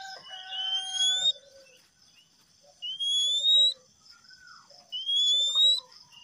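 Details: Whistle of a male Oriental magpie-robin, meant to coax stressed or non-singing kacer: a bright upward-sliding whistle repeated roughly every two seconds, with quiet low chattering notes between, and a short burst of flat tones at the start.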